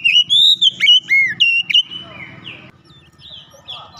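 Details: Loud singing Oriental magpie-robin with beak opened wide: a rapid series of clear whistles and sharp slurred notes in the first two seconds, then softer, varied chattering phrases over a steady low hum.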